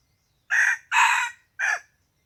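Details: Morning crow of a wild chicken, 27 February 2020: three raspy, broadband bursts, short, long, then short and dropping at the end, loud against near silence.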